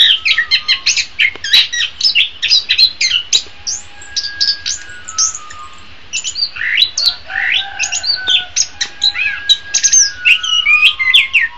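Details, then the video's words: Morning or afternoon training song of an orange-headed thrush: long, continuous run of rapid varied whistles, trills and slurred notes, some phrases sweeping down, with short breaks between busy bursts. "SUARA BURUNG - Masteran Terbaik Anis Kembang"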